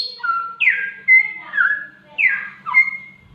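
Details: Samyong, a talking bird mimicking a cat's mating call, gives clear whistled notes: a falling high whistle, then rising-and-falling slurred whistles and level tones, repeated in short phrases about every second.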